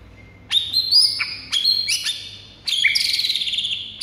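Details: Singing white-rumped shama used to goad rival birds into song: rich whistled phrases with quick downward slurs, then a run of rapid warbling notes, with steady low background hum.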